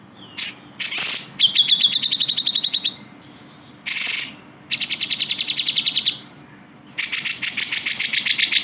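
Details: Grey-cheeked bulbul song meant to train songbirds such as the white-rumped shama and greater green leafbird. Short rasping bursts alternate with rapid, evenly spaced high note series.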